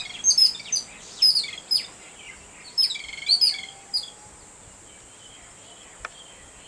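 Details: An excited babbler reacting to a cat gives quick clusters of sharp, high chirps in the first four seconds, then falls quiet over a constant high background whine.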